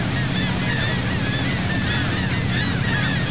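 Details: Seagulls over the sea near Saint Martin island, Cox's Bazar, Bangladesh, recorded aboard a boat: a crowded wash of thin, curving cries layered over a steady engine hum.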